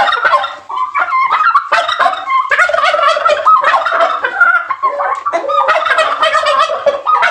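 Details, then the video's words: During breeding season a displaying male turkey gobbles to lure females for mating: continuous, chattering gobble runs with bubbling, quavering notes and very short breaks. "เสียงไก่งวงตัวผู้ร้องเรียกตัวเมีย ไก่งวงรำแพนล่อตัวเมีย ร้องขอตัวเมียผสมพันธุ์ ร้องล่อฤดูผสมพันธุ์"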